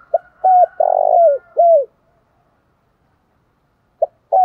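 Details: Low, soft coo phrase from a spotted dove in the 'thổ pha đồng' style: short hooked notes, a long vibrating middle coo, and a falling final note. Silence follows, then the next phrase begins.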